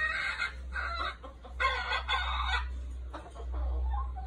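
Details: A red junglefowl decoy bird gives a few harsh, rasping crow-like calls in bursts of about half a second to a second, over a steady low hum.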